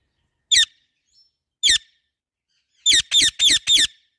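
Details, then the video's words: Pet parrot chirping loudly: two separate harsh, raspy chirps about a second apart, then a quick burst of four chirps in close succession, with nothing else heard in the background. "Parrot Natural chirping sounds |parrot chirping sound | Parrot calling sounds |loud parrot chirping"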